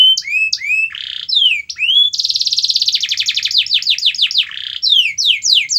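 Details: Canary song played to get a quiet canary singing: swooping whistles and a short buzz, then a long fast pulsed trill that breaks into a run of rapid downslurred notes and more rising whistles.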